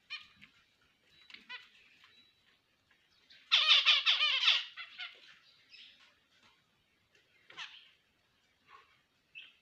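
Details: Finches singing: scattered short high chirps, then a loud one-second burst of rapid, harmonic, nasal notes, followed by more sparse thin calls.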